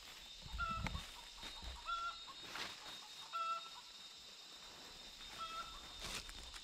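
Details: Wild chickens, a flock near a forest work place whose chicks were caught to be tamed; four brief whistled calls at irregular gaps, mixed with low thumps, rustling and a steady insect whine.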